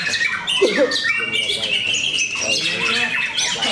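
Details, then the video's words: White-rumped shamas in a singing contest at Cikeas: dense overlapping rich whistled phrases and rapid chattering trills, mostly high-pitched, with a brief human voice near the start. "Serunya pertarungan murai batu"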